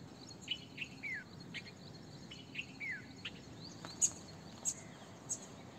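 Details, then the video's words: Red-vented Bulbul giving short, bright chirps and slurred downward notes at irregular intervals, with sharp high ticks and a faint insect hum behind. "Red Vented bulbul"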